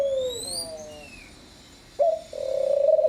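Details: Picazuro pigeon song: the falling end of one low coo, a pause with high small-bird chirps, then a clipped note and the start of another pulsing, level coo.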